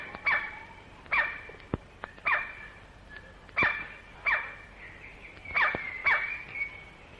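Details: A male White-bellied (Great Black) Woodpecker in Malaysian rainforest, recorded late 1950s to early 1960s, gives loud, piercing, bark-like calls about once a second with sharp knocks of frantic drumming between.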